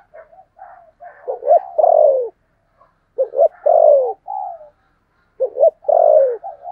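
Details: Lure spotted dove with a 'thổ' voice: soft low introductory coos building into three loud phrases of quick hoots and long descending coos, spaced roughly two seconds apart.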